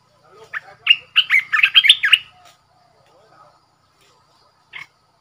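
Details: Caged red-whiskered bulbul kept as a decoy bird, singing one bright warbled phrase of about eight quick, slurred notes rising and falling. A single short note follows after a pause, with quiet surroundings.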